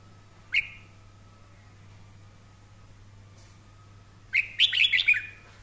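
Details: Daily training session of a red-whiskered bulbul belting out a "căng lửa" song: one crisp rising chirp with a short tail, a long pause over steady low hum, then a rapid rollicking run of bright, warbled whistles near the end.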